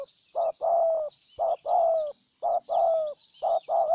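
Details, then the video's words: In Ninh Thuận, Vietnam, a decoy spotted dove coos steadily to draw in a wild dove: four pairs of low notes, each a clipped coo then a drawn-out slurred one, over soft high bird chatter. "Cu Gáy Ninh Thuận clip 144 [ Hiệp 2 ] Mồi Siêu Gù thu phục bổi quá tuyệt vời"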